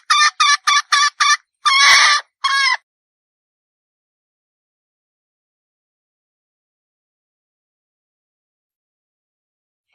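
A hen red junglefowl gives five quick, nasal clucking notes, then two longer drawn-out cackles, all within three seconds, followed by silence.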